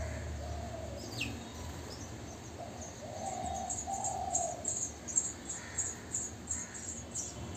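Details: House sparrow nestlings, three days old, begging in a nest box as parents bring insects; rapid high-pitched peeps become denser and louder toward the end, with a brief downward chirp and a lower sustained tone beneath.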